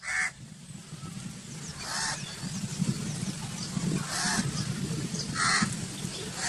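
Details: Crow calls heard as four separate rough caws spread several seconds apart, over a continuous low rumble of background noise.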